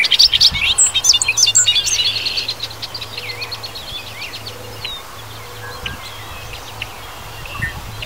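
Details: Bobolink singing in Wisconsin grasslands and fields: a rapid burst of bubbling, gurgling high notes for about two and a half seconds, then fading to scattered thin whistles from other birds over a low steady hum.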